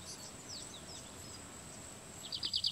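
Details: Stripe-tailed yellow finch song at Sobradinho, São Tomé das Letras, Minas Gerais, Brazil, on 7 March 2020: faint high chirps, then a short, fast run of high buzzy notes near the end, over a steady high insect-like hiss.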